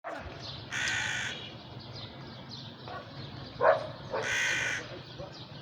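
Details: Crow calling at sunset: two harsh, drawn-out caws roughly three seconds apart, over a steady low background hum.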